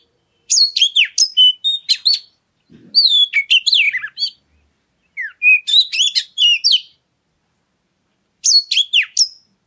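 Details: Oriental magpie-robin song used as a lure to prompt other birds to sing: bursts of varied whistled and chattering phrases, sharp downslurs and bright notes in three clusters separated by silent pauses.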